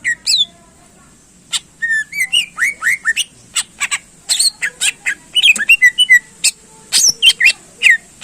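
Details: Greater green leafbird in energetic contest-style song intended to stir up other birds: continuous mix of rising whistles, sharp clicks and buzzy slurs, densely packed and loud throughout.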